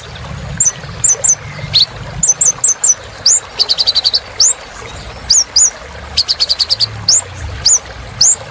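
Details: Lively purple-throated sunbird song: clusters of high chipping notes, upslurred whistles and short rattling trills follow one another quickly.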